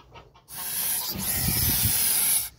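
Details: Nest-guarding goose producing a single strong, rough hiss of about two seconds after a brief quiet start, with a faint low rumble underneath.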